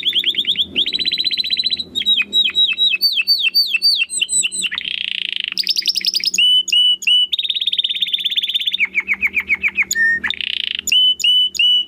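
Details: Domestic canary singing nonstop in crystal voice, recorded as a master for competition birds: varied rolling trills, chains of descending whistles, a harsh buzzy passage, and sharp high repeated chips in quick succession, with low hum underneath.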